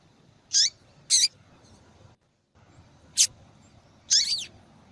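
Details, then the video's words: Calling female double-collared seedeater, used to warm up reluctant males and in female-call contests: four sharp, high descending chips, two close together early, then a short silent gap and two more calls, the last more drawn out. "Fêmea de Papa capim Chamando Muito para Esquentar papacapim"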